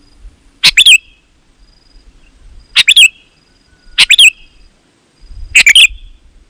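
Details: Sooty-headed bulbul singing lustily, meant to make other bulbuls answer; four bubbly phrases of two or three rapid chirping notes at irregular intervals, over a soft low rumble.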